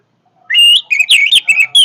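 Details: Powerful song of an Orange-headed thrush, opening with a long sustained whistle, then rapid slurred whistles and short chirps in quick succession, loud and clear with no background noise.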